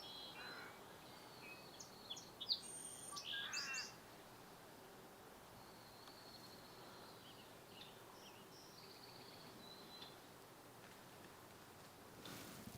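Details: Crows landing in a tree directly overhead at Sargeant Bay Provincial Park on a slightly breezy morning give a burst of harsh, hoarse caws in the first few seconds. Faint, high chirps from other small birds follow over steady background hiss.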